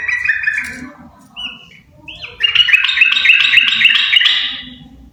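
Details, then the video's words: Singing pair of yellow-vented bulbuls: jumbled warbling notes, a couple of short rising whistles, then a long, dense run of bubbly, fluty phrases at mid-high pitch. "Burung trucuk sepasang gacorr!!!!"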